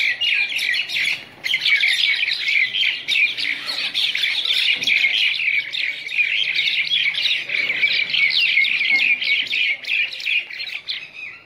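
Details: A group of wild common mynas (Acridotheres tristis) fighting: a dense, continuous jumble of harsh chatters, squawks and sharp chirps, with several birds calling over one another throughout.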